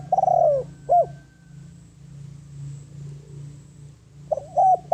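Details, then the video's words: Spotted dove, a decoy bird calling to lure wild doves: a drawn-out falling coo and a short coo, then a pause over a steady low hum, and another pair of short coos. "Tiếng Chim Cu Gáy Mồi Đất Gáy Gọi Bổi, Chiêu Bổi"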